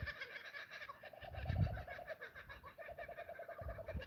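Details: A kookaburra calls on a foggy day at a homestead with cows, sheep and chickens and mountain views: a fast, rhythmic run of repeated chuckling notes, cackling on and on, over low rumbling background noise.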